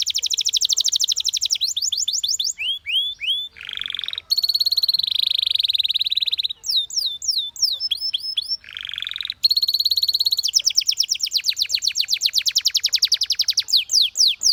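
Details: Canary song made of fast, sharply descending trilled notes, a low buzzy rolling tour near the middle and again later, a steady bright held phrase, and dense rapid trills at the end. The background is clean and quiet.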